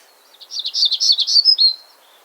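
Black-throated Gray Warbler: a quick, high, buzzy run of about eight wheezy notes lasting under two seconds, ending in a thinner, sharper phrase.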